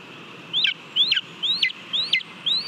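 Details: Nest camera in Latvia, 18 July 2022: a lesser spotted eagle eats a mole at the nest. It gives five clear slurred whistles, each rising and then dropping steeply, spaced about half a second apart.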